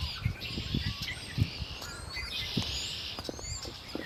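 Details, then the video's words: Birds singing near Lake Erie, with clear high whistles and chirps above a steady chorus, while low thumping knocks recur in the background. "Birds singing by Lake Erie"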